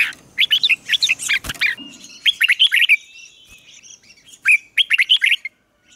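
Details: A caged decoy red-whiskered bulbul sings to summon wild rivals to fight. Lively warbled phrases of rising and falling notes in a few clusters, with a faint thin whistle and a sharp click early on.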